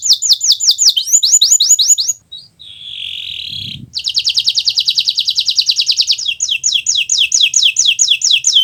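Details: Song of a Kenari Nusantara canary, recorded as a master for birds learning to sing. Quick downslurred notes open it, a short nasal buzz and a brief pause follow, then a long dense rattle and more repeated downslurs.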